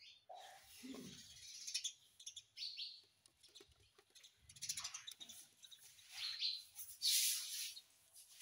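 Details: Pet ringneck parrot kept at home, giving a series of sharp, high chirps and short squeaky calls in separate bursts, with one brief lower note near the start, in a quiet room.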